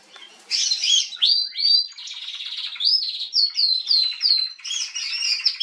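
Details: Female Atlantic canary singing on 21 January 2022: a continuous high warble of buzzy trills and sweet repeated downslurred whistles, varied phrases flowing without pause.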